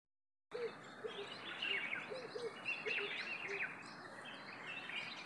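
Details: Several birds calling in a fig tree on 15 May 2023: overlapping short chirps and twittering notes, with some lower brief notes repeated under a steady background hiss.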